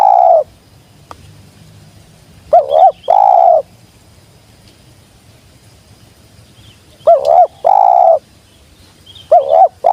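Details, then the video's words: Wild spotted dove (tekukur) come down and calling sweet jergot: three loud phrases, each a rippling double note and a long steady coo, spaced about four to five seconds apart, clear and close. "Burung liar nya turun langsung jergot manis"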